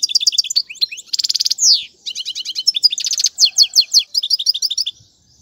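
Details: European goldfinch singing for chick training: brisk twittered notes, a fast metallic trill, a sweeping whistle, then repeated paired chirps in a steady rhythm before falling silent.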